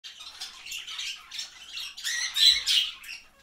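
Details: Two pet lineolated parakeets chatter while preening each other, giving soft, scratchy, high chirps at about three or four bursts a second, growing a little louder toward the end.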